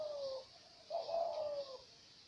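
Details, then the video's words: Dove giving a short falling coo, a pause, then a longer, steady, mellow coo that slowly sinks in pitch, against a quiet hiss. "ঘুঘু পাখির ডাক-ডাকির শব্দ"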